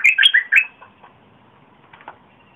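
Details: Red-whiskered bulbul, recorded 30 April 2021 to lure wild birds and train young birds: a brief loud phrase of four rapid whistled notes, followed by faint scattered clicks.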